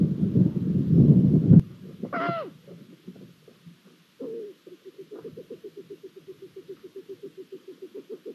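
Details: Long-eared owls at a nest in Hungary, 23 April 2022, during the male's food deliveries and a newly hatched chick. A loud low rumbling burst comes first, then one rising harmonic call, then a fast series of soft, even pulsed notes.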